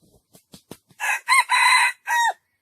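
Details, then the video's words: Loud crowing from a junglefowl, preceded by a few faint clicks. A harsh opening note leads into an up-and-down syllable, a long even buzzy note and a closing downward-sliding syllable. "jungle fowl best crowing"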